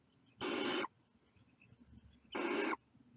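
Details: Two strong, rasping hisses about two seconds apart from young barn owls peering out of their nest, each burst lasting close to half a second.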